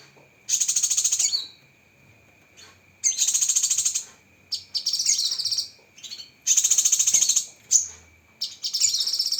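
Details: Cucak kinoi tutor recording of sharp 'tembakan' song: a series of high, fast, rattling trills about one second long, some ending in a downward sweep, alternating with short gaps, over a steady faint whine.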